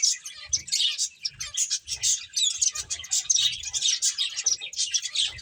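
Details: A steady stream of bright, high chirps from several playing finches, overlapping and nearly continuous, with soft low thumps recurring about every half second beneath.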